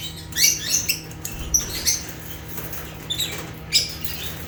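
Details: African lovebirds chirping: bursts of thin, high squeaky chirps and brief squawks in clusters with short gaps, a soft scratchy chatter beneath and a steady low hum.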